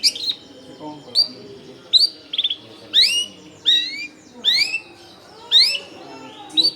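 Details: Long-tailed shrike in vigorous song, played to lure wild shrikes, recorded among crowded homes: repeated downslurred and upslurred whistles with buzzy edges, roughly one phrase per second.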